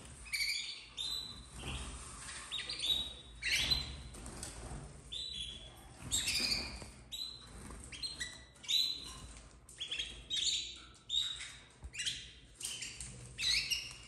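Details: Captive domestic canary chicks, red frosted variety, 2024, chirping steadily: repeated high, thin, buzzy squeaks in irregular bouts every second or two throughout, with faint background hum.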